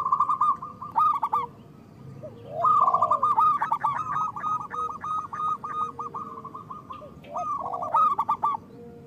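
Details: Local zebra dove song used as a lure and therapy for doves: three stuttering phrases, the middle one a long string of even, rapid notes trailing off, with arched coos beneath.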